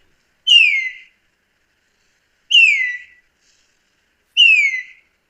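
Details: Red-winged starling (Onychognathus morio) from southern Africa giving three clear, fluty whistles about two seconds apart, each sliding down from a high note to a lower one; no other sounds.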